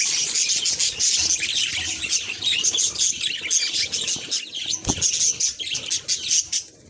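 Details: Budgerigar at a mirror delivers lively high chirps and clear whistled pips over a continuous warble, with one sharp click near the end.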